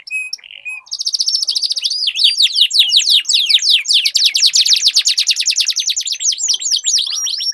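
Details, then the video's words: Two canaries singing a long rolling duel. A few brief notes open a dense, continuous stream of fast sweeping trills that lasts to the end. "Duel Burung Kenari Suara Merdu Ngerol Panjang"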